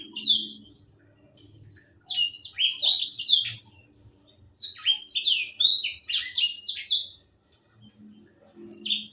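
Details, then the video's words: Young caged grey singing finch, an African seed-eating songbird, singing: bursts of bright, rapid, high warbled notes and short slurred whistles, two long phrases separated by pauses, with faint low background noise. "Burung sanger muda gacor"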